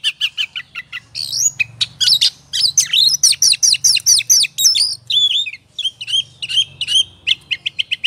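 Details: Oriental magpie-robin in ngobra style, played to provoke emotion and singing: short clipped chirps at the start, a dense rush of varied whistled notes, then spaced chirps again over a faint low hum.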